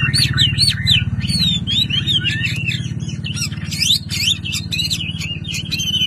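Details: Caged Chinese hwamei from Vietnam pouring out a fast, varied stream of looping whistles and sharp chirps, with a steady low engine hum underneath throughout.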